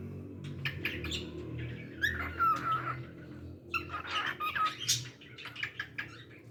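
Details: Pet cockatiel singing softly over a low background hum: scattered chirps and two brief pure whistled slides amid clicks and rustles.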